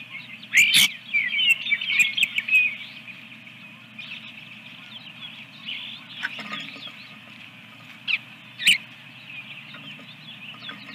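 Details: Osprey at its nest with eggs at Dunrovin Ranch, 24 April 2022, morning: a quick run of high, sharp chirps in the first three seconds, then scattered thin peeps and a few clicks over steady low background hum.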